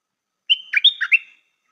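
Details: A caged stripe-throated bulbul kept as a new decoy gives one full song phrase: a level whistled note sliding into four rapid, rich, bubbling syllables, under a second long, with no other sounds.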